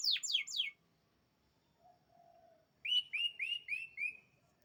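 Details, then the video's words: Canary singing: three fast descending whistled sweeps, a pause with a soft low whistle, then a run of five quick repeated falling chirps; quiet background. "Burung Canary Juara Top"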